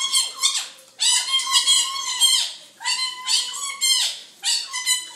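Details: Indoor pet quaker parrot going wild when a nurse pulls on gloves, giving four long bursts of shrill, buzzy, flat-toned screeches with rich overtones, each burst about a second long and separated by brief gaps.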